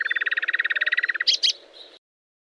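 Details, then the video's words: Rapid rolling nightingale phrase for teaching canaries: about twenty fast, evenly spaced pulsed notes in a steady rattle over little more than a second, then two high sharp notes before falling silent. "لغة عندليب الواحة لتلقين الكناري والطيور المغردة #٣ - Nightingale singing to teach Canary #3"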